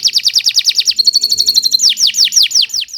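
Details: Canary singing vigorously, suited for tutoring other birds: rapid falling whistled notes, a thin sustained high trill, then the quick downslurred notes return.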